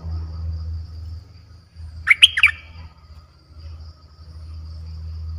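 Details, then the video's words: Streak-eared bulbul, a fierce-sounding song played to lure aggressive wild birds: one quick burst of three or four sharp, chirpy notes about two seconds in, then quiet, over a steady low hum. "เสียงนกดอกแตงEp.98เสียงดุดัน เปิดต่อนกป่าตัวดุๆ"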